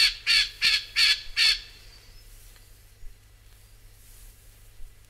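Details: Rufous Scrub-bird giving five loud, sharp, ringing notes in a quick series over about a second and a half, then near silence with a faint click.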